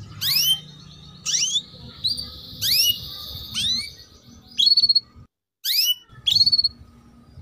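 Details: Chirping of a female canary, cuit cuit, used for training young male canaries to sing; six or seven loud upswept chirps, some trailing into short ringing notes, repeated about every second, followed by a brief silence.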